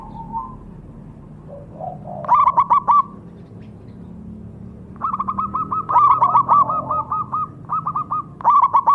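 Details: A perkutut, or zebra dove, gives a soft opening note, then short and long strings of fast staccato coos repeated around four per second, against a steady low hum.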